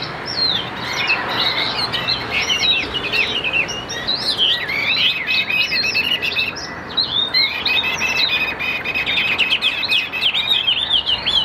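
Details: Long continuous outpouring from a caged Chinese hwamei of Tam Hoàng type: dense jumbled whistles, trills and sharp upward flicks, sustained for over ten seconds with barely a break.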